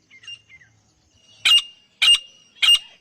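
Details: Partridges in a fight. A few faint, thin slurred notes lead into three loud, harsh, explosive calls about half a second apart.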